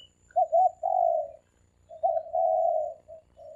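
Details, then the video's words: Three-coo dove call played to lure birds in fast: two phrases, each of quick short notes running into a long, smooth, slightly falling coo, over a faint low hum. "เสียงนกเขาสามกุก เสียงนกเขา เสียงนกเขาใช้สำหรับต่อ เสียงนกเขาต่อหมานเข้าเร็ว"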